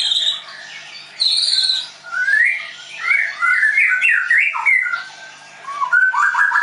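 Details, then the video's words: Captive White-rumped shama of the Leuser type, trained at a bird school in Tangerang, Indonesia, singing loud varied whistled phrases: a high buzzy note, then rising and falling slurred whistles, and ending in quick stepped trills. "MURAI BATU LEUSER"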